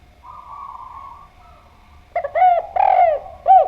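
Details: Soft hum for the first two seconds, then a spotted dove starts cooing: short clipped notes, a long mellow coo and a rounded final coo, loud and close.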